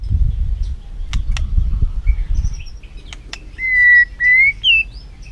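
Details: Low rumbling background with a few clicks, after which a white-rumped shama gives three loud whistles: a flat note, a slightly rising one, then a higher, shorter phrase. Used to provoke a quiet bird into singing.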